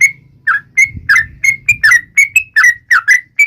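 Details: Yellow-vented bulbul song taunting rivals: loud, chattering whistled notes, each rising or falling sharply, delivered in a quick irregular run, with a soft low rumble beneath.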